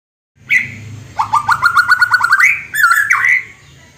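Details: Wild-caught white-rumped shama from West Aceh forest imitating a hen's after-laying cackle: a clucking run of about ten rapid notes climbing in pitch, framed by whistled phrases, with faint background noise.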